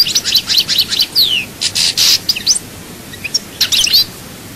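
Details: European goldfinch, Souk Ahras, Chaayba, Algeria: rapid high chirps, a falling slurred whistle and a harsh buzzy note, then quieter scattered twitters toward the end.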